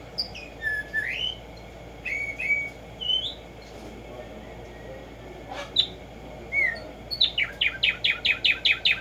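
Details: Tumba Yegua, the Black-striped sparrow, in nature: several rising and falling whistled slurs spaced a second or so apart, ending in a fast, even burst of about eight sharp notes.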